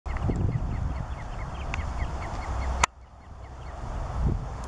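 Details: Male black-winged stilt filmed at Landje van Geijsel on 12 May 2020: a rapid series of short, sharp yelping notes repeated about four times per second over steady low wind rumble, with one loud click near the middle.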